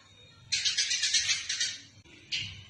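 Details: Eurasian tree sparrow in a fight, recorded as a training call for other songbirds: a dense, harsh chattering burst lasting about a second and a half, a short pause, then a brief second burst.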